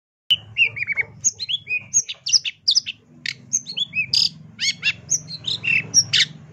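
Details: Long-tailed shrike master song in the full tembakan style, used for training songbirds: a varied stream of high whistles, slurred downward notes and sharp chips, rapidly alternating, with a low hum underneath.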